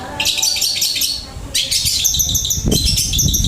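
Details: Long-tailed shrike from Indonesia's songbird-keeping scene, singing a flowing stream of learned song material: dense, rapid high chirps and trills that break briefly and then resume, over low rumbling background noise.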